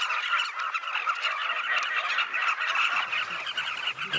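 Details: Large colony of southern carmine bee-eaters gathered on Luangwa River banks; countless birds call at once in a steady, churning wall of short trilling notes, with a faint low rumble near the end.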